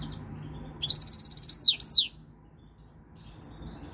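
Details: Goldfinch of three years starting to come into breeding condition: a quick high trill of repeated notes followed by two swooping down-slurred notes, over a low background drone.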